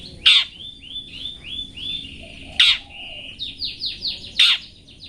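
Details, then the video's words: Long-tailed shrike 'toet toet' song as a cage-bird training master: three loud harsh bursts spaced about two seconds apart, between them smooth buzzy whistles and a rising sequence of rapid slurred notes. "TOET TOET masteran burung cendet toet toet"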